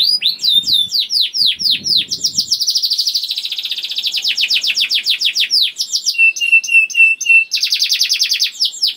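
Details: Young canary rolling song to stimulate other canaries, made of descending whistled notes leading into a long rapid trill, a few flat repeated tones and a final fast burst; faint rustling early.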